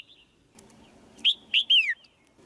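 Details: A female white-eye in a cage calls to provoke a male's stronger singing: two short bright chirps, then a longer downward-sliding note, with light clicks before them.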